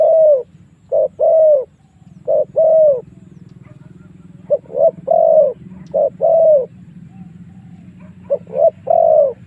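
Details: A spotted dove coos as a lure to draw wild birds into a long fight. Repeated phrases of brief notes lead into longer mellow coos, in four spaced groups over a faint low hum.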